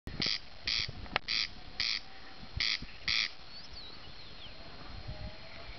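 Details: A Corncrake (Crex crex) in northeast Poland, 2010, gives six dry, rasping crex notes, loosely paired, about two a second, with faint whistles from other birds in the background.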